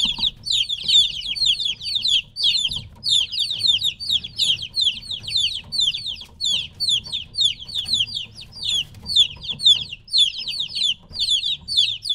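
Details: Young chickens around three weeks old separated from the hen, chirping nonstop: a continuous chorus of piercing high falling peeps from several chicks, steady and overlapping throughout, with a faint low background noise.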